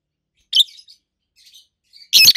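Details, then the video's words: Two adult pet rosy-faced lovebirds, a red-head green opaline and a white-head pallid aqua opaline: a harsh high chirp, faint twittering, then a loud burst of shrill broadband chirps at the end. "Rosy-faced Lovebirds Call Sounds"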